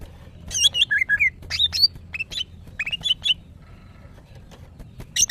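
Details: Female greater green leafbird in breeding condition, calling to attract males: quick clear whistled notes, some sliding up or down, in clustered bursts with short pauses and a quiet stretch before a final sharp phrase.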